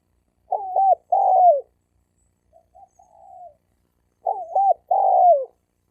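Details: Male spotted dove in a fighting challenge, recorded 2020: a stuttered coo with a long falling coo, quieter soft cooing in between, and the same two-note phrase repeated.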